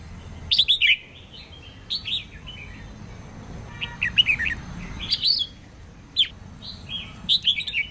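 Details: Female red-whiskered bulbul singing to stimulate males and newly caught birds to sing. Short warbled, slurred phrases repeated every second or two, with single sharp down-slurred notes in between.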